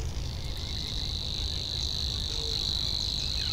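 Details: Savi's warbler in a reedbed delivering its song as a steady, high, insect-like buzzing trill with no pauses, over a low rumbling background and a single brief low note near the end.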